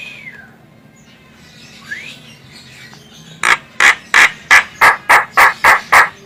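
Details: Female Javan myna calling, a sound used for bird luring: faint rising whistles, then a fast run of nine loud, harsh, evenly spaced notes, about three per second.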